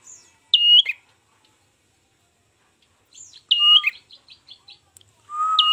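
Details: Lure recording of an ashy tailorbird for trapping: a sharp hooked whistle, a pause, then another whistle with a string of soft ticks, and a steady lower whistle at the end.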